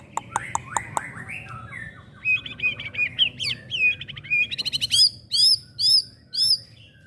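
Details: Young white-rumped shama, a promising contest bird suited as a tutor bird, sings a varied run: sharp clicks, then rising and falling whistled notes, quick trills and clear upslurred whistles repeated about every half second near the end.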